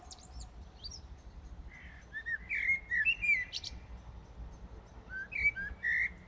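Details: Common blackbird singing in the dead of night, early morning of 15 January 2018 in Brussels, Belgium; mellow fluted warbling phrases with thin high squeaky twitters, two song bursts separated by a short pause, over a low steady urban hum.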